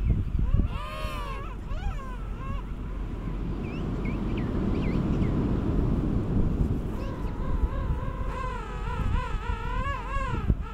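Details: King penguins during courtship and mating on South Georgia in January 2019 give loud, wavering, trumpet-like calls, rich and pulsing, in two main bursts, while heavy wind roars throughout.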